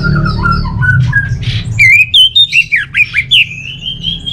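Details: Orange-headed thrush singing. Soft warbled phrases lead into a loud series of about seven sharp, twisting whistles, each roughly a quarter second long. A quiet murmur of other birds sits underneath.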